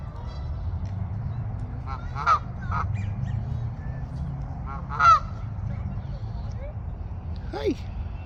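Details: Canada goose at a pond giving three separate honks spaced a few seconds apart over a constant low rumble of background noise.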